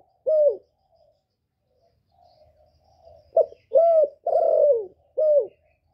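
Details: A Spotted dove calling to stimulate other doves gives low, hollow coos: one soft note, a pause, then a run of four arched notes, with a faint low rumble between.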